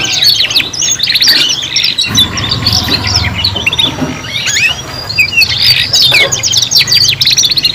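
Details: Three young canaries practising song together: dense rapid trills and sharp chirps in waves, with a short lull midway and a low background rumble.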